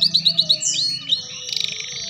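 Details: Canary song meant for young canaries learning the ngeriwik style: five rapid rising chirps, a clear whistle, then a buzzy, shimmering high trill.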